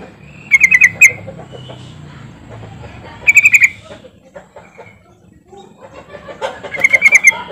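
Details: Yellow-vented bulbul call played to set quiet birds singing: three separate quick bubbly phrases of four to six bright notes, spaced about three seconds apart, with low background rumble.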